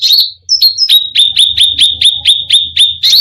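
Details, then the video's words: Cucak rante singing to rile other birds: after a couple of rising whistles, a quick series of sharp, clipped notes repeated about every quarter second, with a low rumble in the background. "Cucak Rante full isian gacor || bikin emosi burung lain"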